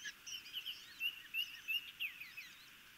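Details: Chesapeake Bay osprey chicks in Maryland begging while fed on 26 May 2018, nest camera recording: a rapid run of high, thin, slurred chirps, about three per second, rising and falling slightly, over a soft background hiss.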